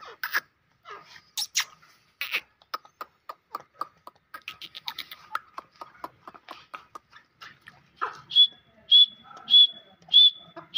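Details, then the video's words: Grey francolin voice: scattered dry ticking and rasping notes build into a rhythmic series of clear, high, slightly rising whistles, each paired with a harsh lower note, repeating roughly every half second. "Dakni Teetar ki Mast Awaaz | Teetar ki awaaz"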